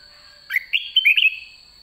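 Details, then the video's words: Red-whiskered bulbul, white-cheeked form, late in the season, singing in 'ché' style: one quick phrase of four or five linked whistled notes, slurred up then wavering, over a constant high hum. "Chào mào má trắng cuối vụ đã ché, นกกรงหัวจุก"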